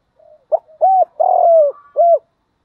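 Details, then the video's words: Spotted dove used as a decoy in Vietnam, giving its gáy coo to attract wild doves. Low soft notes lead into one phrase of a short note, an arched coo, a drawn-out buzzy coo and a crisp closing coo. "tiếng chim cu mồi thúc và gáy gọi bổi nhanh nổi nhất"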